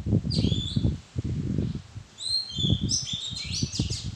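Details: Oriental magpie-robin in a madan tree arbor whistling clear high notes and swooping slurs, building into a quick varied run, over loud low rustling and handling noise close by.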